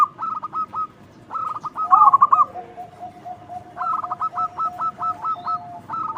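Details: Zebra dove, a local bird with a loud voice used as a lure: choppy runs of short cooing notes, a rolling trill near the start, and a faint drawn-out tone beneath the later notes.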